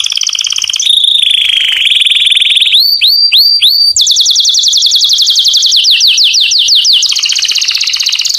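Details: Strong canary song meant to attract females for mating: rolling trills, a run of rising whistles, then long series of quick downward-sweeping notes repeated several per second.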